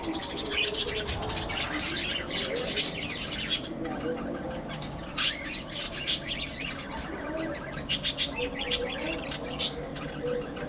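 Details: Budgies keep up continuous busy chatter, a dense stream of rapid, squeaky chirps and harsh warbled notes with frequent loud accents, over steady low background noise.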